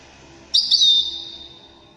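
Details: Wedani goldfinch singing: one brief phrase of two quick bright chips that melt into a long, slightly falling high whistle, trailing off over a second. Faint low hum behind.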